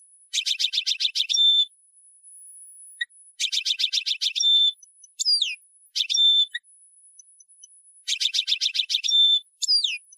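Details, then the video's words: Tunisian European goldfinch singing an old song in the tarqa style known as Sahnoun Sfaxi: three bursts of rapid buzzy high notes, each closing with a short whistle and downslurred notes, separated by pauses, over a steady thin high tone. "Ancien Chant d'un Chardonneret Tunisien"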